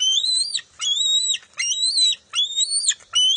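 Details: Bald eagle at the NCTC nest, June 23, 2021, as an eaglet and its mother fight over a fish: high, thin, whistled calls that rise and then level off, about four in three seconds with short gaps.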